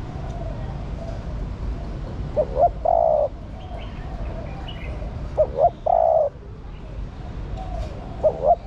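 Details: Female spotted dove calling to arouse the male, giving repeated three-part coos: two short notes and then one long, steady coo, about every three seconds. Faint twittering birds sound in the background.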